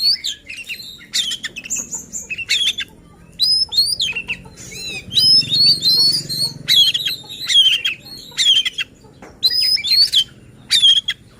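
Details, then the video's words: Song of a white-rumped shama used as a lure for shamas that will not sing; rich series of whistled notes, quick sweeps and dry rattles delivered in short energetic bursts, with a faint low hum underneath. "Suara KACER Buat EMOSI dan NGOTOT Kacer Lain | Pancingan Kacer Malas Bunyi"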